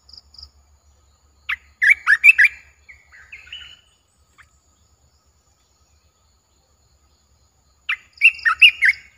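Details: Caged olive-winged bulbul, 29 June 2021: two bursts of bright, tumbling warbles separated by several seconds of quiet, with a low pulsing hum and faint high notes in the background.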